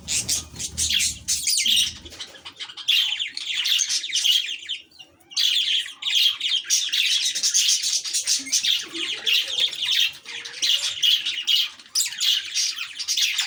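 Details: Pet lovebird fighting with a chick indoors: dense, harsh, buzzy squawks and chatter run almost without pause, in loud bursts broken by a brief lull near five seconds.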